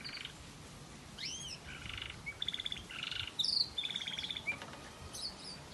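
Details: Singing variegated red factor canary with waterslager melody: a few rising whistled notes, then chains of quick pulsed rolls and trills alternating between lower bubbling and higher clear tones.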